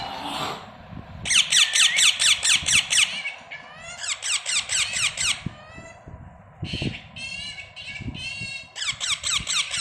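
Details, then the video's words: Baby parrots chirping indoors: rapid series of high, squeaky, downward-sliding chirps in bursts of five to eight notes, repeated with short gaps, over a low background hum and occasional soft knocks. "Baby parrots chirping"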